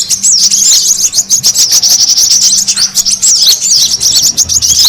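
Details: Brown-throated sunbird lure sound meant to gather birds. Shrill, high chirps tumble over one another in a constant noisy twittering, with short looping notes repeated quickly and no other sounds present.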